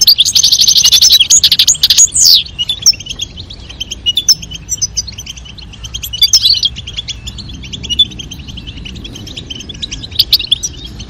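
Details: European goldfinches, a female calling and a male singing to stimulate mating: dense high twittering and tinkling chirps, with rapid rattling trills near the start, then steady repeated bright notes, several each second.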